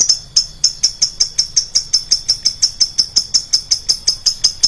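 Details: Lovebird lure sound, shrill and high: a steady run of clipped, piercing chirps, nearly three a second, evenly spaced and unchanging throughout.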